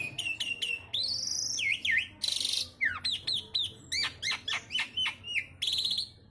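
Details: Javan pied starling song filled with isian sekebon kacang: looping high whistles, a dense buzzy burst, then a brisk series of sharp down-slurred notes repeated about twice a second.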